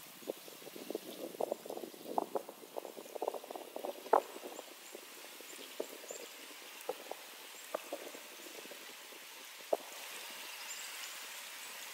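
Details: Steady rain with irregular splashing and dripping water, and no clear animal voice.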